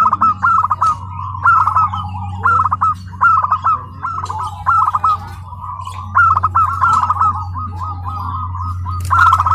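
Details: Home-raised tame local zebra dove competing at a PLN Karawang contest after adapting to the noisy venue: rhythmic rolling coo phrases repeated steadily about every second, over a low hum and other doves calling.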